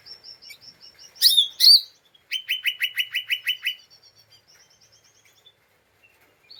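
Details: Two loud harsh notes from an agitated lesser green leafbird, then a quick train of dry clicking notes in the ngeriwik chattering style used as a lure for other birds, trailing off into faint soft ticks.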